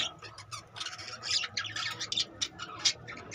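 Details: Budgerigar colony kept in captivity with 25 newly hatched babies; dense, overlapping high squawks and chirps burst out in uneven clusters, with faint human speech in the background.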